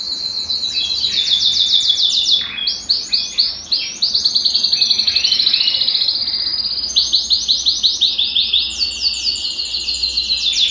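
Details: Belgian canary in full song, used to warm up a silent canary: long run of rapid high chirps broken by brief pauses, then clipped staccato tours and rolling trills.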